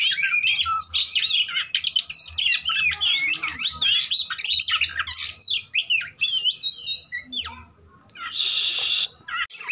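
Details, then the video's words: Oriental magpie-robin in fighting mode, used as a lure for birds that have stopped singing: dense, rapid run of varied whistles, chirps and harsh notes, pausing near the end before a short burst of hissing noise. "PANCINGAN KACER TARUNG ATASI KACER MACET"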